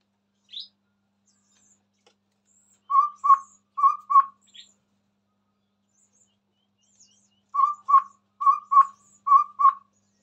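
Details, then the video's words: A chestnut-rumped babbler sings eagerly near a phone: soft, low, owl-like hoots delivered in pairs, a short burst of three pairs, silence, then another run of paired notes, with one thin high squeak at the start. "Burung Tepus Tunggir merah Gacor"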